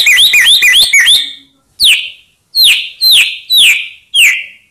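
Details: White-rumped shama song used to provoke rival birds into answering: a quick series of high looping whistles followed by repeated loud sharp downslurred notes, each about half a second apart.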